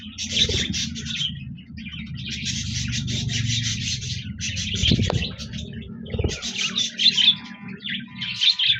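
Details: Budgerigars on 26 January 2024 warble in chattering bursts of buzzy chirps separated by short gaps, over a steady low rubbing, scraping noise and a few knocks.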